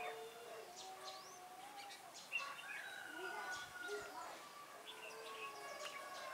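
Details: Red-whiskered bulbul, a fighting decoy bird used for trapping, 3 December 2016; several whistled, warbling phrases with short rising and falling notes, other birds calling and a murmur of voices around.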